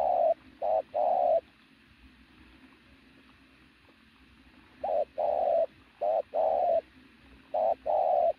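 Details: Loud cooing from a pigeon: two short-long coo pairs, a pause of about three seconds, then three more pairs, each pair a brief note followed by a drawn-out hum.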